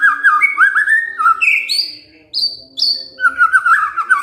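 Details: White-rumped shama voicing a 'kretekan fighter' call used to trigger replies from silent shamas: warbled whistles, a few high clear upward notes after a brief pause, then more rapid warbling.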